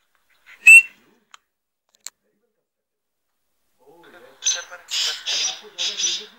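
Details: A six-month-old pet black francolin, calling since five months, gives a run of four harsh, grating, buzzy notes in under two seconds, preceded by a single sharp whistle and a few faint clicks.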